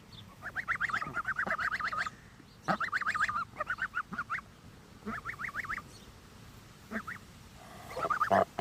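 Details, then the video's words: Goslings giving fast, wavering honk runs, each burst a rapid chain of nasal notes lasting about a second, separated by short pauses, with a louder burst near the end. "Watch us grow #shorts #honk #goslings #geese #goose"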